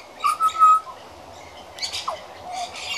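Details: A regular young pied butcherbird practising song: one bright sustained whistle that drops at the end, then a quieter pause, a short slurred downward note and faint background chirping.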